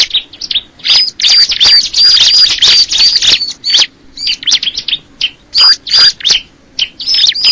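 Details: Bar-winged prinia calling with fast series of piercing chirps and thin high whistles, delivered roughly three times a second in irregular, lively phrases.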